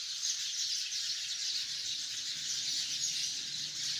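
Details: Hundreds of sparrows chirping together in a tree: a dense, continuous wash of high overlapping chirps and twitters with no pauses, steady in loudness throughout.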